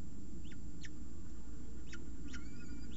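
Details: Peregrine falcon chicks left alone in the nest with an unhatched egg at Orange, 28 September 2018: short, thin downward-sweeping squeaks at a few irregular points, over a steady low rumble.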